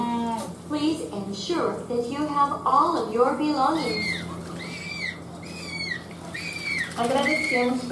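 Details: Recently fledged Humboldt penguin chick at Nonhoi Park, its voice still young next to the adults' deep voices. A park announcement plays at first, then five high, thin, arching squeaks come roughly every second.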